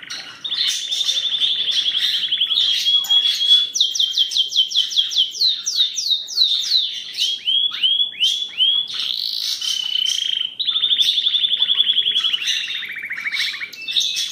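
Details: Charles II Belgian canary in steady song, alternating rapid rolling trills, sweeping descending notes and sustained buzzy tours at varied pitch, sung without pause for fourteen seconds against a quiet background.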